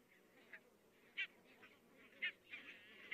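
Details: Many barnacle geese calling in the distance in Estonia on 22 October 2017; short, high, yelping barks rise from a steady background murmur of the flock, loud notes arriving irregularly about once a second.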